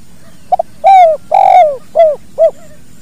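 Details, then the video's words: Kuk dua style call of a spotted dove, recorded naturally as a master for training other birds: quick soft doubled note, two drawn-out coos, the second rough and descending, then two clipped coos. "SUARA BURUNG TEKUKUR KUK DUA"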